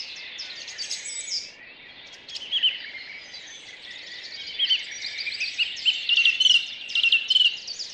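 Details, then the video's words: Early May morning in a city park in Rheine, Germany, 2011: several birds singing at once, high twittering phrases with clear whistled notes repeating roughly once per second toward the end, a short lull near two seconds. "Vogelstimmen Stadtpark Rheine2011"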